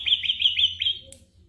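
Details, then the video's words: Ashy drongo mimicking other birds, used as tutor song for white-rumped shama: a quick series of five high, bright chirped notes in steady rhythm, fading at the end. "burung masteran srigunting abuabu / saeran_abu"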